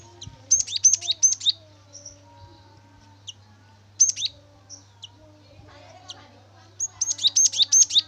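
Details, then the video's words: Cinereous tit (gelatik batu) in full, active song, used as a lure recording to make other birds sing: short bursts of rapid, high, sharp chirping notes in groups of several, separated by quiet gaps, over a low steady electrical hum. "Gelatik batu gacor rekomendasi Pancingan Gelatik batu agar bunyi"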